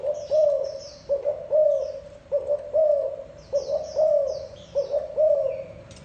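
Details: Repeated cooing of a spotted dove, mellow low notes in groups of two or three about every second, small birds chirping softly in the distance.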